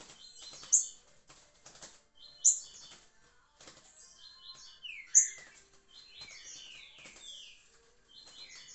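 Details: Green-winged saltator (trinca-ferro) singing in the liso curricutil song style: short phrases of high, buzzy stacked notes alternate with lower downward-slurred whistles, several loud sharp clicks in between, about every two seconds.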